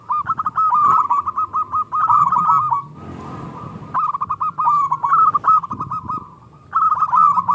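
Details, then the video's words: Local zebra dove, small 'klung' voice, singing to provoke other doves. Rippling phrases of quick, ringing coo notes are interrupted once by a short burst of rushing noise, then resume. "Perkutut Lokal Gacor Suara KLUNG Kecil PIKAT Juara Pancingan Perkutut Macet Langsung Nyaut"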